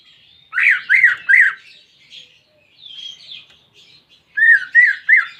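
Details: Greater green leafbird, a caged bird, singing as therapy to prompt a silent bird to sing: three loud, arched, whistled notes, then soft twittering, then another rapid run of four slurred whistles.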